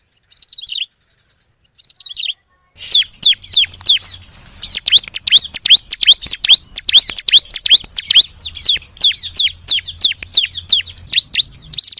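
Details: Bar-winged prinia (ciblek) lure call: two short high chirp bursts, then a loud, dense run of rapid, sharp, descending high chirps repeated many times a second, with a steady low hum underneath.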